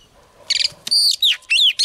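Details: Female Oriental magpie-robin, a wild-caught bird, singing to stimulate males: a short buzzy rattle, then a clear high whistle and several quick, sliding, downward-curving whistled notes.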